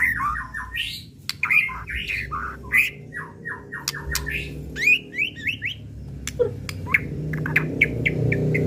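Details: White-rumped shama (murai batu, murai pastol) lure song, original recording meant to provoke rivals and draw out their repertoire: rapid choppy whistled and squeaky notes in varied short bursts, with clicks and a low background rumble.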